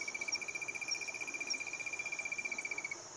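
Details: An Olive-crowned Crescentchest (Melanopareia maximiliani argentina) sings a fast, even trill of high, sharp notes, about fifteen per second, holding steady pitch for three seconds; faint high insect hiss behind.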